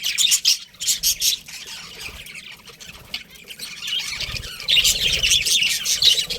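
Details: Budgerigars chirping in loud scratchy bursts, a quieter lull through the middle, then dense chattering resumes strongly toward the end.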